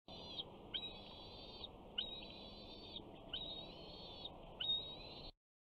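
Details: Bald eagle eaglet, 68 days old, at a nest at Big Bear on 21 June 2019, the first day of summer, calling as a parent flies in with fish: thin high whistled calls repeated about every second and a half over steady background noise.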